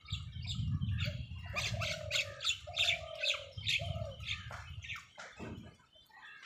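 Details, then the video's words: Angry crow tearing a leaf, crows fighting for food; harsh squawking notes with drawn-out nasal tones, several in a row over a low rumbling background, mixed with sharper chattering sounds. "crow bird live crowing sounds | crow torns the leaf angrily |angry kauwa ki awaaz Crow Sound"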